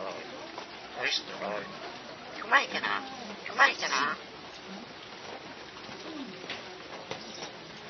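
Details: Talking crested myna, locally called martiniz, producing speech-like phrases in irregular bursts of human-like words, with some louder broadband syllables and quieter murmuring between them against a faint background hiss.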